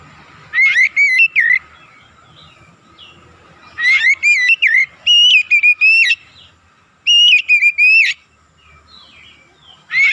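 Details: Kacer (Oriental magpie-robin) singing 'gacor', meant to raise the excitement of other kacer. Four bursts of loud whistled, warbled phrases, each about a second long, spaced one to two seconds apart over a faint steady hum.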